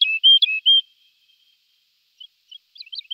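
A lark sings a quick run of clear, high whistled notes, a brief pause, then a burst of rapid, thin twittering.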